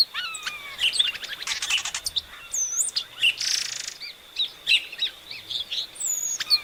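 Epaulet oriole song: a busy run of clear whistles, rising and falling notes and sharp chips, mostly high-pitched, with a steady faint insect hum beneath.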